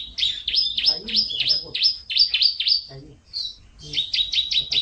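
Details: Domestic canary in full, lively song: a fast run of sharply rising and falling whistled notes, about three per second, then a short pause and another quicker burst of the same clipped notes. Background is quiet.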